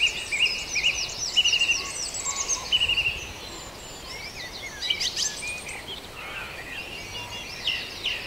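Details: Dawn chorus at Farndale: several birds singing together, with repeated high whistles, trills and chirps layered over a steady hiss of background noise.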